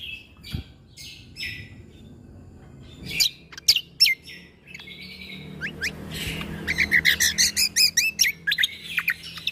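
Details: Greater green leafbird song meant to tutor young white-rumped shamas: soft scratchy phrases building into sharp whistled slurs, then a fast, regular volley of loud ringing notes at about two and a half per second.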